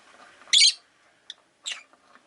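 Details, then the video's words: Rosy-faced lovebirds, five kept in a cage beside a window, give a loud harsh shriek lasting about a quarter second, then a brief tick and a second rasping chirp against quiet background. "Lovebird Chirping Sounds"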